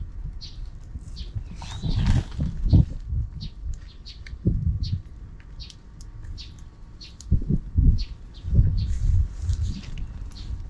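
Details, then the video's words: Unseen sparrows keep up an afternoon din: steady, scattered high chirps throughout, with intermittent low rumbling noise. "Even in the afternoon, the sparrows are still making noise outside the camera frame."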